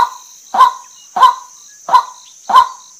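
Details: Five coarse, croaking notes from a female white-breasted waterhen, evenly spaced at about 0.65 seconds, backed by a steady thin high hiss.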